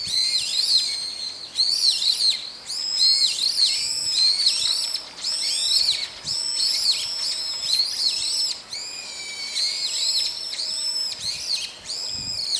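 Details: Daytime group of brown-eared bulbuls calling with about four call types: continuous loud, shrill, harsh squealing notes with arched and down-slurred shapes, repeated almost without pause, several birds overlapping.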